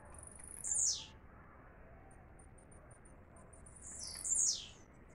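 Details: Blue-black grassquit, a kept bird, sings two quieter high buzzy phrases that slide downward, about three and a half seconds apart, with faint thin ticks between and a low hum throughout.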